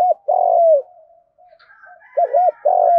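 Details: Field-voiced spotted dove fighting coo used to lure wild birds: a long falling coo, quiet murmuring, then two quick looped notes and another drawn-out coo, with faint higher tones.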